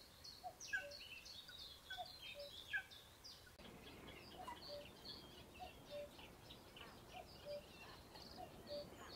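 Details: Repeated cu-coo of a Common cuckoo, a high note then a lower one, at RSPB Ham Wall Nature Reserve, Somerset, UK, with busy chirping from other birds, strongest in the first few seconds.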